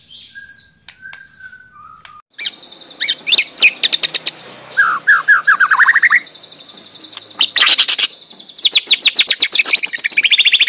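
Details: White-rumped shama, fighter type, in fighting style: soft whistles, then loud sharp clicking notes repeated about three times a second, with a quick falling trill in the middle.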